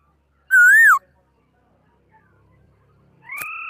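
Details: Laughingthrush in 2018: a single loud swooping whistle rising then falling, a quiet pause, then a sharp click and a steady flat tone.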